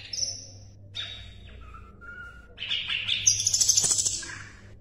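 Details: Asian brown flycatcher song used to tutor contest birds. Sharp high whistles drop to a soft low note, then the song swells into a rapid, chattering, buzzy flourish that climbs very high before fading.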